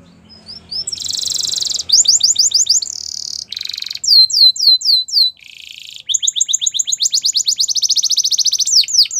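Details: Singing Russian canary, first a low background hum, then a bright sustained roll, chains of sweeping downslurred notes, a brief buzzy tour and a long, rapid even trill to finish.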